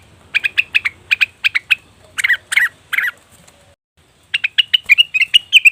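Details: Cucak wilis (leafbird) lure call for attracting wild birds: quick bright chirps, three harsher squawking notes, a pause, then another fast run of clear chirps.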